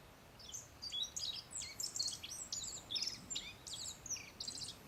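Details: Black-faced bunting in the wild at Settsu Gorge in northern Osaka, Japan, sitting close at about 3 m; rapid clusters of sharp, high chirps and short rasping slurs run almost without pause, with light environmental noise.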